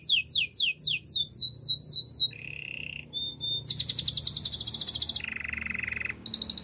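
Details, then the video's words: Canary in Spanish Timbrado style, song for training: fast descending whistled notes open, then a low buzzy trill, a brief pure tone, a rapid high rattle and another lower buzzy roll, all crisp and varied. "Canary spanish timbrado song for training"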